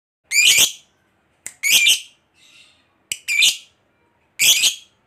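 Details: Lovebird giving its long ngekek chatter, meant to provoke quiet lovebirds into answering song: harsh, high, buzzy bursts of about a third of a second, four main bursts with short clicks between, in an irregular rhythm.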